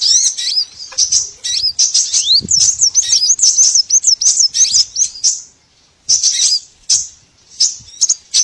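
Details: Small birds in a lure recording for trapping: lively high twittering of quick chirps and slurred whistles in rapid bursts, with short gaps toward the end.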